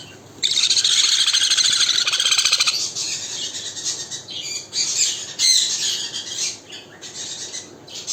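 A conure gives loud, harsh, screechy calls, first a long grating burst and then shorter rasping squawks at an uneven pace.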